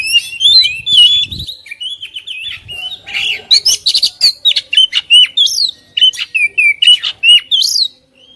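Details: Kacer, the oriental magpie-robin, a kept bird singing vigorously: quick runs of sharp whistled notes, rising and falling slurs and scratchy chattering bursts, loud and continuous until a brief pause at the end.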